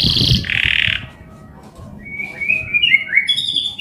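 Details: Male canary singing energetically, described as emotional and rolling with cuit-cuit notes, used as a master song to tutor young canaries; loud buzzy trills at the start, then rising and falling whistled notes.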